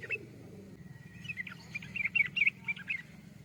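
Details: Yellow-vented bulbul song: a loose run of short bubbly chirps that grows louder midway, over a low rumbling background hum.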